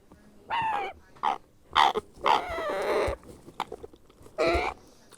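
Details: Grey parrot hatchling being hand-fed, giving harsh, nasal begging squawks in bursts of about half a second, with short clicks and rustling between calls.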